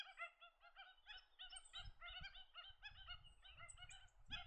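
Australasian shovelers give a steady run of nasal, honking quacks, several each second and overlapping, over a low rumble of wind.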